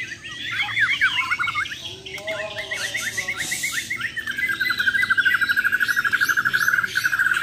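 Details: Champion Bornean white-rumped shama in a mental-test duel: varied slurred whistles, then a long rapid tembakan burst of evenly repeated sharp notes, many per second, carrying to the end.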